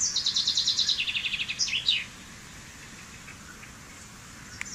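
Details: Common chaffinch (Fringilla coelebs) singing one bright phrase of about two seconds: a fast series of high, descending chipping notes that drops in pitch and ends in a short flourish, followed by quiet background hiss.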